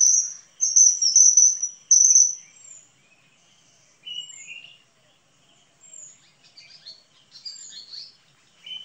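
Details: Common kingfisher (Alcedo atthis): shrill, high whistled notes run together for about two and a half seconds, then sparse, fainter high chirps and short whistles follow after a pause.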